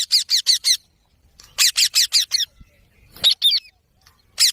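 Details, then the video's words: Green parrot screeching in tight series of four to six loud, rasping notes, broken by a pause and a few softer, more varied squawks. "Parrot Natural Sounds Compilation"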